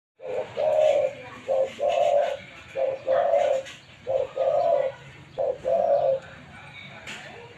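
A spotted dove gives low, hollow coos in short phrases, a brief note then longer drawn-out ones, repeated about every second and a half over a faint steady high hiss.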